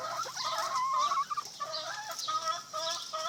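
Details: Chickens kept next door give a run of quick, nasal, wavering clucks in short bursts separated by brief pauses, with a faint steady hiss underneath.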